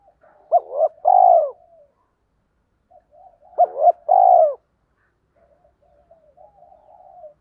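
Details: Decoy spotted doves calling to stir up other doves: two phrases of quick short coos leading into a long rough falling coo, about three seconds apart, followed by faint soft murmuring.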